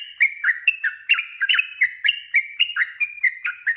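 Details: Lure song of a sooty-headed bulbul, long and lively to draw replies from other birds: rapid chain of bright whistled notes, each swooping down then up, about four per second, steady and loud throughout.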